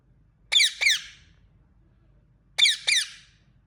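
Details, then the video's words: Indian ringneck parrot chirping indoors: two pairs of sharp, shrill, harmonic-rich squeaky chirps, each pair a quick double note, separated by about two seconds of quiet with faint low hum in the room. "Ringneck Parrot Chirping Sound"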